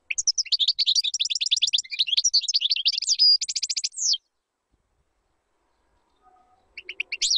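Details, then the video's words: European goldfinch singing to teach chicks: a long, rapid, tinkling warble of chirps and trills, ending in a fast buzzy rattle, then silence and a brief renewed twitter. "تغريد طائر الحسون بدون أخطاء لتعليم الفراخTweeting goldfinch to teach chicks goldfinch"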